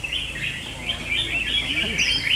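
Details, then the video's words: Red-whiskered bulbuls in a singing battle give wavering, bright warbled phrases, ending in a higher clear whistled note. "Best Red Whiskered Bulbul Singing Battle"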